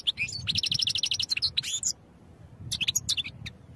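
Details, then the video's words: European goldfinch song for training: rapid liquid twittering, fast runs of high tinkling notes and trills for almost two seconds, a short pause, then another burst of sharp chirps and twitters; low background rumble. "Goldfinch Songs for Training"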